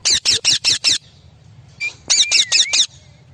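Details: Parrot calling in harsh, rasping squawks: five quick bursts in a row, a short pause, then four more, with a thin gliding whistle running under the second set and a low hum between calls.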